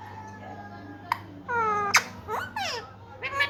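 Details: Pet green Indian ringneck parakeet mimicking speech, saying "I love you"; a few short harmonic voice-like syllables with sliding pitch and a sharp click, low room hum beneath.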